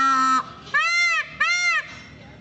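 A peacock gives loud, nasal, wailing calls: a flat opening note, then two arched, rising-and-falling cries about half a second apart.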